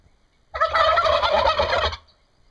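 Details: A turkey in Brazil gives one loud, rapid gobble lasting about a second and a half, a quick rattling burble with no other sounds around it.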